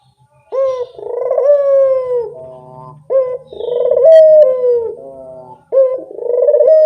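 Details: Lure call from a Barbary dove: three low, rolling coos about every two and a half seconds, each opening with a sharp note and then a drawn-out throbbing tone that fades.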